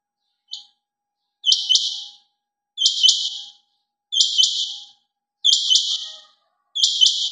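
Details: Quail calling: sharp, high double-noted bursts repeated about every 1.3 seconds, six times, with silence between calls.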